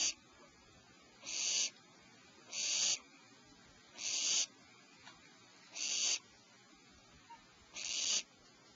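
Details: At a nest cavity at 04:47 PST, as the mother owl brings prey to her owlets, harsh, breathy owl hisses, each about half a second long, repeat every second and a half or so over a quiet background.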